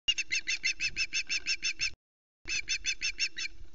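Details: Female osprey flying from a pole tree to the Loch Arkaig nest, calling to announce her arrival as usual: rapid, high, ringing chirps about five per second in a long run, a short pause, then a second run.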